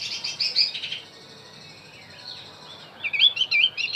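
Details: Song of a Javan white-eye played to attract wild birds, dense high twittering for the first second, a quieter stretch with a faint slurred whistle, then lively chirping phrases returning after three seconds.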